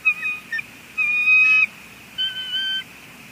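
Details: At a Two Harbors nest in May 2020 a female bald eagle calls at her mate until he departs; short high whistles, then a sustained shrill whistle and a final pair of thinner, wavering notes.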